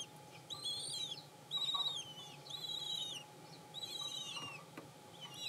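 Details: Five freshly hatched common kestrel chicks in a nest, the last one out of its shell that morning, give thin, high, drawn-out squealing notes, each arched and slightly falling at the end, about five in five seconds, over a faint low hum.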